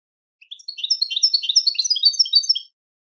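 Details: Goldfinch singing a dense, tumbling stream of high chirps and twitters for about two seconds. Used as a teaching song for goldfinches, with a silent background.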